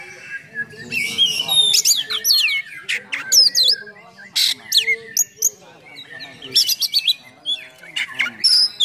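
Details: Oriental magpie-robin (kacer) in full rapid song with harsh, aggressive phrases, meant to provoke and train other magpie-robins; loud varied whistles, sweeping upslurs and scratchy bursts in quick clusters, with bursts of harsh notes between.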